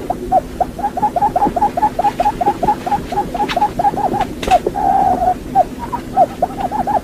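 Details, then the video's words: Quail used as a hunting decoy, calling with rapid, evenly repeated short low hoots, one drawn-out note midway, and a few faint clicks and knocks in the background. "tiếng chim cút mồi"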